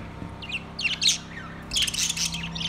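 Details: Singing caged budgerigars, September 2, 2023: quick grating squawks and chirps, then a loud rasping run of chatter, with a low steady hum behind.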